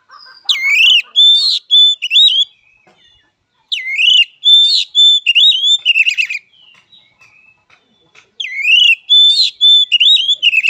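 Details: Oriental magpie-robin (kacer) fighting song: three bouts of loud singing separated by pauses, each mixing swooping whistles, clear level notes and harsh, rapid rattles.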